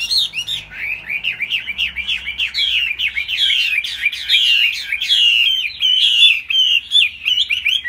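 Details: A large, long-tailed laughingthrush, singing high with tail-beating display, gives a loud, continuous run of rapid looping whistled notes, rising and falling in quick arcs, with hardly a pause throughout.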